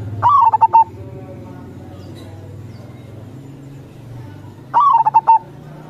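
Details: Two cooing phrases from an actively singing local zebra dove in crossing style, about four seconds apart. Each rises sharply, then steps down into a quick run of clipped notes, over a constant low rumble.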